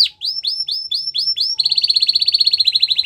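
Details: Russian canary training song: a series of rising whistled notes around every quarter second, then a fast, even, buzzy trill of high repeated notes.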